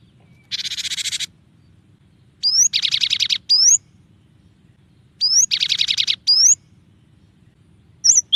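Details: Cinereous tit singing the tembakan style: loud rattling buzzy trills each introduced or followed by a thin upslurred whistle, repeated in pairs with short silent gaps between phrases.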